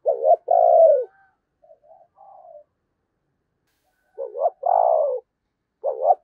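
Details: Spotted dove used as a decoy to lure wild doves at Tet, giving low hooting coos in quick two- and three-note bursts, with soft fainter notes between phrases.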